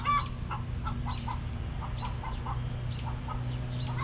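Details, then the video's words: Hens in a backyard coop cluck softly in quick groups of three or four short notes, pausing between groups. A constant low droning hum fills the background. "Rooster Crowing! Hens Clucking!"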